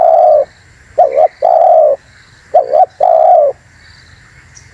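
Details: Luring call of a spotted dove: deep soft coos, a short wavy double note answered by a long held coo, repeated roughly every 1.5 seconds.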